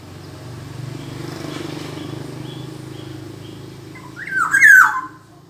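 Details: Over a low rumbling background hum, a black-naped oriole delivers a single rich, slurred whistled phrase near the end, rising then falling.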